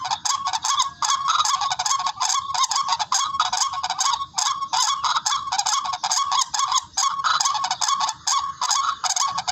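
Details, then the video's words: Barred rail giving harsh, nasal, honking notes in a rapid, unbroken series, several calls overlapping into a raucous chorus; a sound used as a lure for bird hunting. "HONI NG TIKLING SOUND EFFECT"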